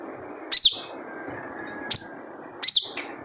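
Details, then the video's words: Wild crimson sunbird's distinctive 'jrejet cuit' call for luring: three sharp, very high chirps, the first and last with a dipping, trailing tail, over a light hiss. "Jrejet Cuit Suara Panggilan Khas Sogon Liar untuk pancingan sogon agar gacor"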